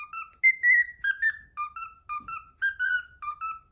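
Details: Pet cockatiel whistling the Pythagora Switch opening theme indoors: clear, pure whistled notes in a bouncing melody, short phrases stepping up and down, with one long held note.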